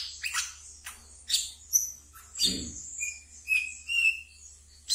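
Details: Caged brown-throated sunbird singing ngeriwik song, used to lure and tame new birds: high buzzy chirps, then a few short, level whistles lower in pitch, with one soft low thump midway.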